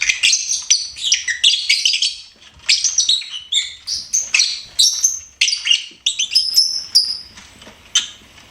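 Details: Pet lovebird singing: a fast, continuous run of shrill, squeaky chirps and twittering notes, with a few drawn-out whistled tones near the end.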